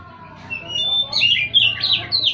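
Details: Oriental magpie-robin (kacer) singing: a run of bright, loud whistled and chirpy phrases, sliding up and down and delivered in quick bursts, over a faint low murmur of background voices.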